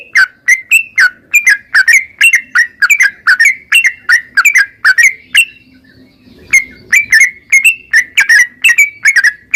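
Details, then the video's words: Yellow-vented bulbul, narung ropel singing used as stimulation for a bird: quick chattering whistled phrases, a short pause near the middle with a faint hum, then the bubbly notes resume. "trucukan gacor NARUNG Ropel perangsan burung trucukan agar cepat bunyi dan gacor"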